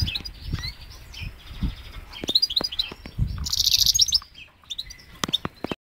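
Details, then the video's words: Goldfinch x canary hybrid singing on Syros: quick twittering phrases with sharp high chirps, thin whistled notes and a dense buzzy trill near the middle, broken by low thumps and shuffling noises. "Carduelis carduelis x Canary with hat singing"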